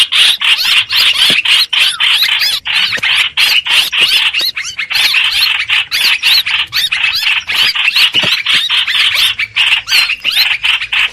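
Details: Streak-eared bulbul, a lure recording meant for trapping birds: a long run of fast, scratchy chatter in short repeated bursts, separated by many tiny pauses and kept up for eleven seconds.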